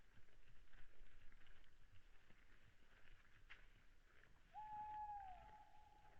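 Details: Owl calling at 22:15 on 26 February 2017 at night, Saaremaa, Estonia: a single clear whistled note, held nearly level for about a second, over a steady low rumble and hiss.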